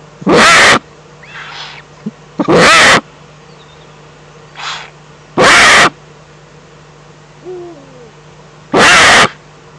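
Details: Eurasian eagle-owl in the Eifel on 11 April 2014, giving four loud, hissing, rasping screeches repeated roughly every three seconds; a faint low descending tonal note sounds between them.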